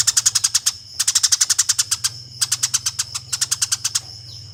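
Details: Combative Eurasian tree sparrow, a master recording for tutoring competition birds: almost unbroken rattling chatter of quick harsh chirps in four long runs separated by brief breaks, over a steady faint whine.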